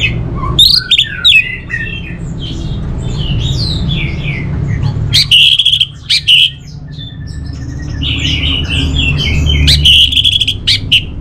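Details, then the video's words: A long stretch of orange-headed thrush song: loud, rich whistled phrases and chatters in several bursts, separated by softer warbling, over a constant low background rumble. "Suara ANIS MERAH Ini"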